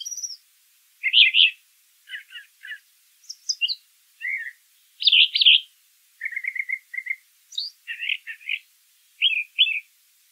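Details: Wild brown thrasher song made of distinct phrases, each a doubled or tripled burst of buzzy, chirping notes, changing pitch and pattern from phrase to phrase, separated by brief silences.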